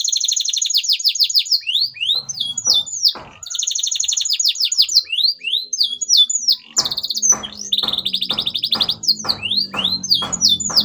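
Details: Canary in vigorous 'gacor' song: fast repeated trills and whistled sweeps throughout, with dull low knocking or tapping sounds in the background during the second half.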